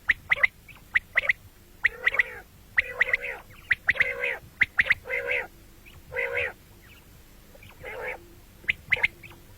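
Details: Common quail heard morning and night, with crisp, sharp notes in pairs and triplets at first, then a series of rasping, buzzy bursts, and sharp notes again at the end.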